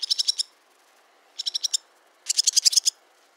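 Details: Barn swallow chattering in three quick bursts, each a tight string of four to eight high, clipped chirps, the last burst longest and loudest.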